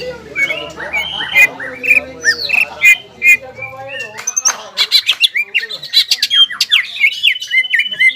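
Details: Greater green leafbird, a kept songbird, in energetic ngobra and jamtrok singing driven by arousal: varied whistled phrases and chatter, becoming a faster run of sharp clicking notes and high squeaks in the second half.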